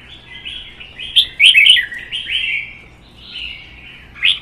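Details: Caged red-whiskered bulbuls singing against each other in a contest: a continuous run of rich, liquid warbles with loud, chattering notes near the middle and a final sharp burst.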